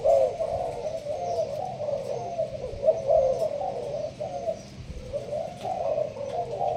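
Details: Malaysian spotted dove in a leafy cage, cooing in the sparse urging style. Warm, low coo phrases come in bursts with a short pause near the fifth second.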